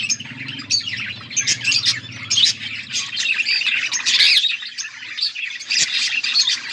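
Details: Budgerigars warbling and chirping together, recorded August 14, 2024: continuous high chatter with sharp squeaks and trills, a low hum fading after four seconds.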